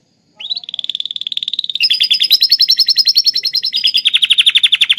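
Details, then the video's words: Atlantic canary singing a song filled in with lovebird phrases; a rising whistle opens into long, rapid trains of sharp chirps around seven per second, shifting pitch midway and dropping lower near the end. "kenari isian love bird"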